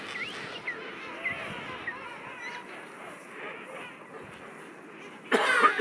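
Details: A dense colony chorus of king penguins at Salisbury Plain, South Georgia, home to about 500,000 birds: many overlapping, wavering trumpet-like calls at once, ending in a sudden loud rushing burst.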